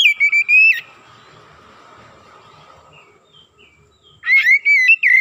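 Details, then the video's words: Energetic Oriental magpie-robin singing to stir up another bird: a stuttered run of ringing whistles opens, a quiet stretch of hiss follows, then another fast series of strong whistles with rising tips. "PANCINGAN TERCEPAT MENAIKAN EMOSI KACER GACOR DENGAN CEPAT"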